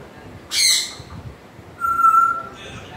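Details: One raspy squawk from an African grey parrot, followed after a pause by a long, steady, pure whistle.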